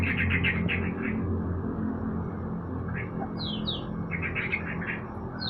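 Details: Sooty-headed bulbul set out in the morning sun, giving clusters of short, bright chirps early on, then quick upward-sweeping whistled notes and a renewed burst of chirping, over a steady low rumble of background noise.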